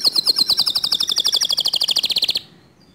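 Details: A canary sings, its song said to stir other canaries to join in. A rapid, steady, buzzy trill of short repeated notes lasts over two seconds, then stops abruptly.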